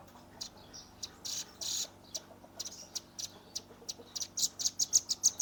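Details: Juvenile velvet-fronted nuthatch, known locally as rambatan paruh merah, giving its rapid shooting call style, recorded on a phone. Faint high thin notes start scattered and build into a fast run of sharp ticks near the end, over low background hiss.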